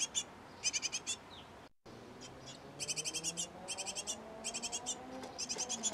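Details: At a nest box where a great tit pair raises nestlings, short trains of fast, high, scratchy chirps come in separated bursts, with a brief silent gap early on and faint lower tones between.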